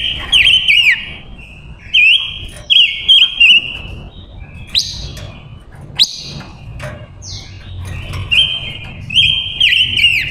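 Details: Captive female silver-eared mesia used as a lure, singing loud warbled whistle phrases with quick trills and falling slurs, repeated several times, interspersed with sharp rising chips and a low background rumble.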